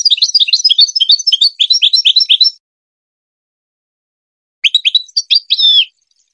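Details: Song of a goldfinch intended to teach hybrid chicks: a long, rapid stream of tinkling high twitters, a long pause, then a shorter phrase ending in a buzzy, wavering note.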